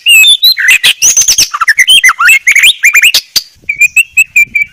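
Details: White-rumped shama singing a clear masteran (tutor song), a rapid, varied run of slurred whistles, chirps and sharp clicks, ending in a row of five steady, evenly spaced mid-pitched whistles.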